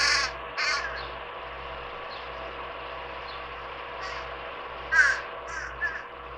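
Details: At a backyard birdbath in July, a fledgling fish crow begs from a parent offering a peanut, giving short, harsh, nasal calls, two at the start, then a quick cluster of three near the end, over a steady low hum.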